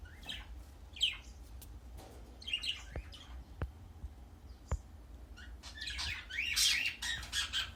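A young budgerigar gives soft, scratchy chirps and warbles, rising to a busier chatter near the end.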